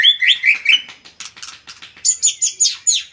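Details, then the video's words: Magpie-robin singing a rich, varied phrase: clear whistled notes that rise and fall, then a run of quick chattering notes, ending in bright, high, repeated whistles with a slightly buzzy edge, about five per second. "burung murai suara mewah"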